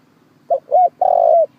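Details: Used to lure birds into traps, a spotted dove gives a brief coo, a rising second coo, then one sustained hollow coo, with a faint steady low drone behind.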